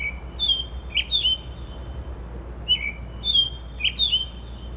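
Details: Mimicking bird in song at 2:30-3:00am, imitating car alarms and sparrows; a jumble of rapid high chirps and slurred whistles in two bursts separated by a brief gap, over soft low hum.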